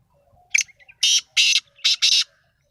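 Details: Lively black francolin call, kala Sindhi titar: a piercing short note, a couple of tiny ticks, then four coarse, loud, buzzing bursts paired closely, with silence around them.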